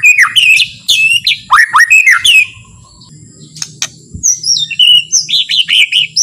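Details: Relaxed, gentle white-rumped shama song used to stir other shamas into singing: bursts of varied whistled and sharp phrases, a quiet gap, then a run of short clipped notes, with a low hum beneath.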